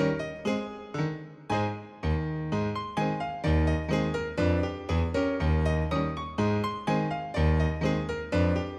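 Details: Loud piano music with rhythmic chords and a deep bass line fills the recording, with no animal sound heard.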